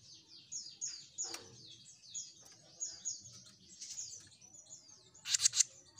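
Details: Jenggot Mini bird in lively song: a run of high slurred downward whistles repeated about twice a second, ending in a burst of sharp, loud clipped notes; faint low background noise.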